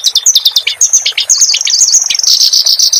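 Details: Clamorous reed warbler song used for training cage birds. Quick descending chips and scattered lower notes merge into a long, steady, high buzzing trill.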